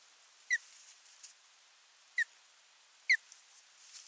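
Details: Osprey at the nest on 28 July 2021, giving three short, sharp whistled notes that slide downward, spaced one to two seconds apart, over a faint background hiss.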